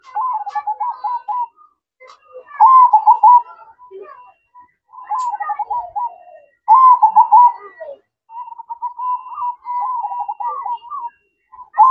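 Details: At night, a zebra dove sings the manggung cooing song. Repeated phrases of fast, bubbling trilled coos at a mid pitch come every second or two, and some phrases end in a longer, even-pitched trill.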